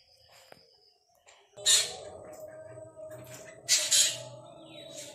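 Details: Black drongo, known locally as Kajalapatri, giving two loud, rasping, broadband squawks, the second a doubled burst, after a quieter start with faint thin tones; a steady low hum runs underneath throughout.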